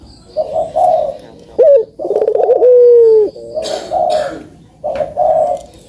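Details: Barbary dove song meant to prompt lazy puter doves into calling: short husky coos, a quick rising note, then a long steady hoot that dips at the end, followed by more gruff bursts.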